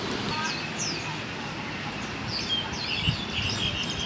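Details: Wild Mugimaki flycatcher giving short, high chirps and thin sliding whistled notes in loose scattered bursts, clearer toward the end, over a steady low background rumble.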